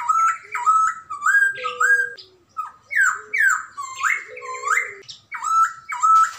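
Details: Chinese hwamei, one of two birds, a white-cheeked and a grey-cheeked, both singing actively; loud clear whistled phrases that rise and fall, with slurred notes in quick bursts and a few lower steady tones beneath.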